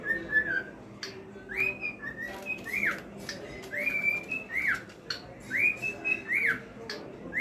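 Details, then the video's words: Male cockatiel repeating arched whistles that rise and then fall, roughly one every second, mixed with short held notes and occasional clicks, against a quiet indoor background. "cocktail bird best singing. male cocktail bird sound. ককাটেল পাখির গান। ছেলে ককাটেল পাখির আওয়াজ।"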